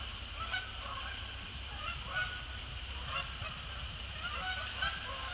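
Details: Canada geese, resident and migratory, heading down to Sapsucker Woods Pond after a December sunset; irregular honks every second or two, a few sharper and higher, with a steady background hum.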